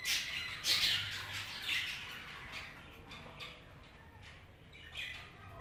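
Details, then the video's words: Budgerigars, including Hogoromo-type birds, in an aviary: a busy mix of scratchy squawks and short high chirps overlapping from several birds, loudest in the first two seconds, then softer chatter continuing. "محمية طيور البادجي الفلل طيور هوقورومو"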